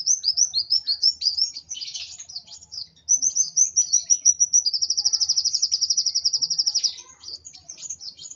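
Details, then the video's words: Kolibri wulung sunbird in an agitated mood, mixing tumbling shrill chirps with a long, fast, even trill of about two seconds. "Burung Kolibri Wulung Emosi Sampai ke Ubun Ubun.."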